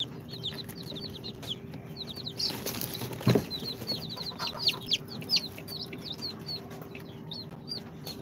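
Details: Incubator-hatched chicks on their second day, a mix of Sultan, Golden Sebright, Cochin and booted breeds, give rapid high chirps that drop sharply in pitch; a brief rustling burst interrupts midway, over a constant background hum.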